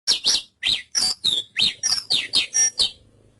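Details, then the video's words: Javan bush lark giving a quick series of about ten sharp, buzzy chirps within three seconds, some notes sliding downward, delivered at a steady brisk pace. "Suara Burung Branjangan"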